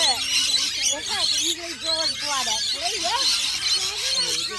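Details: Noisy rainbow lorikeets fill the air with unbroken shrill, rasping chatter and screeches from several birds at once, mixed with wavering human speech below.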